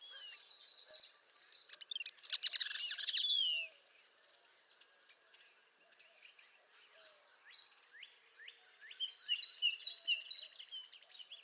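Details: A Northern Parula sings in spring: a high, buzzy trill climbs for about two seconds, then breaks into a louder burst of sharp downslurred notes. Scattered thin chips from other birds follow.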